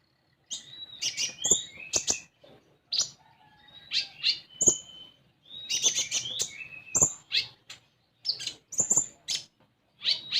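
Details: Common iora singing to coax a young bird into song: bursts of lively high chirps and brief whistles, separated by short pauses, with occasional sharp clicks.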